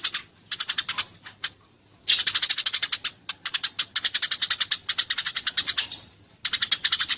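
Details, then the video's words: Eurasian tree sparrow fighting and calling energetically: dense strings of rapid, rasping chirps continue for several seconds with only short gaps. "masteran burung gereja tarung gacor suara jernih"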